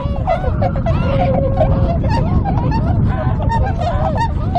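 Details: Dense chorus of honking from a wintering Tundra swan flock on a river at Kawajima, Saitama, Japan, recorded 4 February 2017; overlapping nasal, bugle-like calls run continuously, some held notes among them, above heavy low wind rumble.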